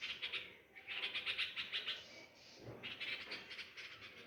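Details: Nightingales crying over a lost chick at their nest in pomegranate plants at a home, after a cat struck on the fledglings' first flying day: fast, scratchy chirp series in two long bursts split by a brief lull.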